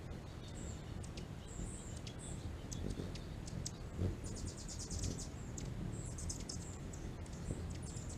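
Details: Hummingbird in California giving thin, very high chips in short bursts, repeated irregularly through the recording over a steady low outdoor rumble.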